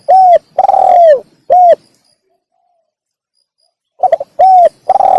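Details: Spotted dove calling, meant to lure wild doves: the end of a phrase with coos, a long pause, then a new phrase opening with rapid stuttering notes, a hollow coo and a long rough coo.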